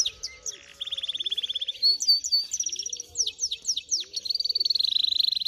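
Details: Finch × canary hybrid singing a varied song: high chirps, a fast even trill, sweeping slurred whistles, then a long rapid buzzy trill at the end, with soft low cooing notes repeating underneath.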